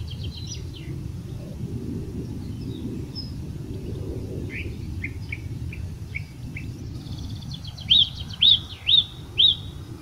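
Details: Song thrush (Turdus philomelos) in Portugal giving varied chirps, then four loud, clear whistled notes repeated about every half second, over a steady low rumble of wind.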